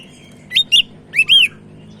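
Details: Sumatran leafbird in full song for tutoring: two quick pairs of bright, slurred whistled notes, the second pair longer and rising then falling, over a faint low hum.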